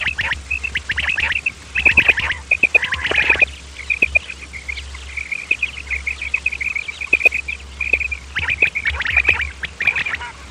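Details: Male and female common quail calls used as a hunting lure: rows of short, high chirping notes at a steady pitch, broken by sharper clicks and rasping bursts, over a low steady hum.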